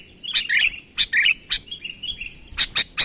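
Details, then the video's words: Sooty-headed bulbul in full voice, calling a rival to approach. Short, bright, chirping phrases come in separate bursts about every half second, some rising and some falling, over a faint steady high tone. "suara burung kutilang ASLI tanpa isian, gacor memanggil lawan mendekat"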